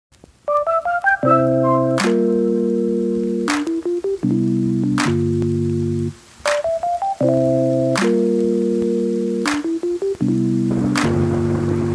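Electronic keyboard music plays sustained chords and short melodic runs, with no animal sounds heard.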